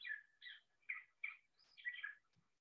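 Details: Gray Catbird song in spring in Illinois: a quick jumble of short, scratchy, squeaky notes, six or so varied phrases in under three seconds, mid to high pitched.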